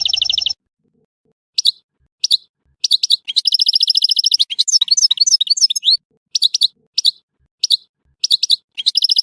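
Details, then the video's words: Song of a European goldfinch from Tissemsilt. A fast rattling trill leads into a long rolling twitter of liquid, tinkling notes. Clipped chirps follow, spaced unevenly, and the last burst runs into another trill. "تغريد حسون تيسمسيلت"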